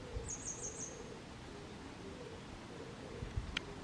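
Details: Grey wagtail song from Kotoura, Tottori Prefecture, Japan, 22 May 2023, captured handheld with a Canon SX740HS: a brief burst of four sharp, high-pitched notes at the start, then soft low hooting from another bird and ambient hiss.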